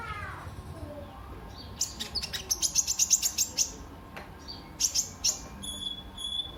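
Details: Kolibri ninja, or brown-throated sunbird, in lively song meant as a lure and master recording for training other birds: a quick burst of very high, clicking chirps, about two per second, then a pause and more sharp ticks and thin whistles.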